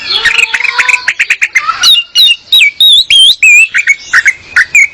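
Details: Female orange-headed thrush singing to lure a male into singing: a rich run of varied whistled phrases, slurred and warbling notes tumbling rapidly, about three per second, with higher looping whistles later on.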